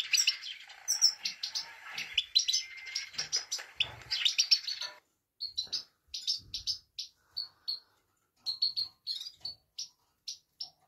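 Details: Female Himalayan goldfinch 'pit pit tak' call meant to excite males: a dense burst of high twittering, then evenly spaced single sharp chirps separated by short silences.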